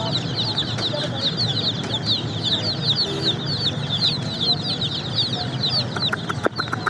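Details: Baby chicks chirping: rapid high-pitched peeps from several chicks, roughly two or three each second, overlapping and uneven, over a low background hum with a few clicks near the end.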